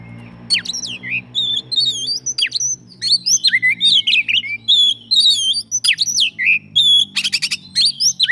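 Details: Oriental magpie-robin (kacer) singing a full isian song: a rapid stream of varied whistled notes, sharp up-and-down slurs and short buzzy bursts, almost without pause, over a faint low hum.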